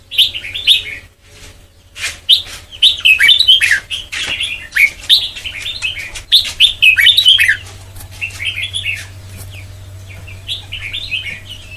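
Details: Sông Kon style singing by a white-cheeked red-whiskered bulbul, meant for song training. Repeated lively warbling phrases of rapid chirps fill the first seven seconds, then grow quieter and more scattered over a faint hum.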